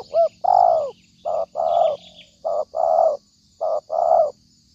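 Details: Spotted dove calling, used as a trapping lure: repeated phrases of short rising coos followed by a longer, downslurred coo, roughly every second, with faint high bird chirps in the background.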